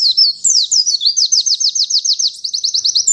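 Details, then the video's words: White-eye singing a rapid, unbroken string of high, thin upslurred whistles, about six notes per second, with a brief twittered start and no other sounds. "Plecimu Bakalan Ikutan nembak ga pake LAMA!!!"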